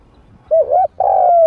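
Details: Spotted dove used as a trained lure bird with a medium voice, drawing wild doves in to fight. A single phrase: a rising and wavering short coo, a pause, then a long steady coo that falls away at the end.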